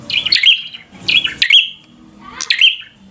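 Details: Agitated prenjak (prinia) fighter song aimed at a rival: three bright, buzzy chirp bursts roughly a second apart, each with a steady high tail, faint low hum underneath.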